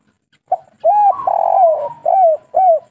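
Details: Local spotted dove cooing in the 'kuk 3' three-note style, meant to get other doves calling quickly. A short soft coo leads into a long, falling, rough-textured coo, followed by two crisp down-slurred coos at an even pace.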